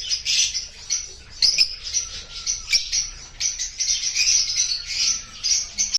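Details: Opaline rosy-faced lovebirds chirping: a steady run of shrill, raspy high chirps and squeaks in rapid overlapping bursts, several birds chattering together with brief dips between phrases.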